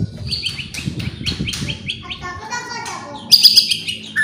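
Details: White-rumped shama song meant to provoke other birds: rapid high repeated notes and chattering over heavy low background noise, ending in a brief loud trill.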